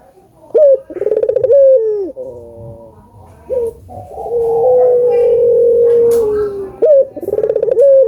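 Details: Albino collared dove singing strongly, used to stimulate doves into calling: two full coos with a quick rising start, a throbbing middle and a falling end, separated by a long level humming tone.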